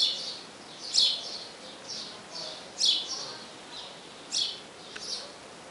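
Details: Calling to draw the female to the nest, a house sparrow repeats high, clipped chirps roughly every one to two seconds, alternating louder and fainter notes over soft hiss.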